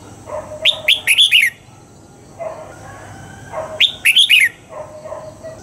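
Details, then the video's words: Red-whiskered bulbul in training to sing at dawn, pushed toward the double-note 'old forest' style: two quick bursts of sharp, bright whistled chirps about three seconds apart, with soft low chattering and steady hiss behind. "Luyện giọng cho chào mào hót sáng, ép chào mào hót âm kép già rừng hay tuyệt!"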